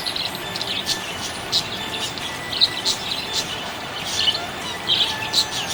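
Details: Happy budgie producing a stream of thin, high chirps and clicks, some louder bursts standing out, all over an even hissing background.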